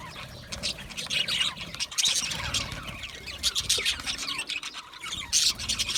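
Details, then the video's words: Budgerigars chirping in contentment or conversation: softer high twittering and scattered squeaky notes, rising into a few louder bursts, over a low background hum. "Budgie parrot chirping sounds"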